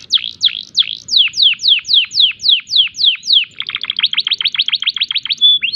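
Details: Canary in breeding condition giving unique 'tembakan' song phrases to make other canaries sing back; about eleven loud descending sweeps, then a fast trill of short notes ending in a brief pure whistle.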